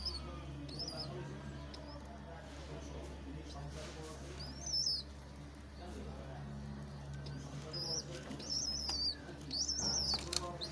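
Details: Pigeon (Columba livia) with its chick: thin, high squeaky chirps come in short bursts over a steady low hum.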